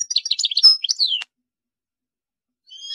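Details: European goldfinch singing a rapid, high, tinkling phrase of jumbled twittering notes, one drawn-out whistle, and a falling slur ending in a click, then silence before a faint high sound begins.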